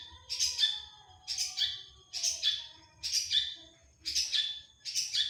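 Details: Long-tailed shrike giving harsh, raspy notes repeated roughly every second in a steady rhythm, each note a broad scratchy burst.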